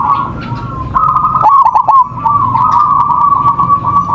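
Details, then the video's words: Lure song of local zebra doves, used to prompt singing: low continuous cooing gives way to a brief rapid burst of trilled coo notes, then the sustained cooing chorus returns and carries on. "Suara MASTERAN perkutut lokal gacor"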